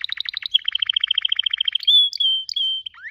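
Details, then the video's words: Singing canary: a rapid train of repeated bright notes, followed by long pure whistled tones and a final rising upslur. "Best canary singing 2021 beautifull"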